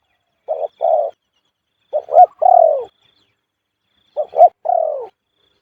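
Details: A spotted dove repeating the khu-ang coo style: phrases of clipped low notes rounded off by a prolonged, sinking coo, three phrases with pauses of about a second between them.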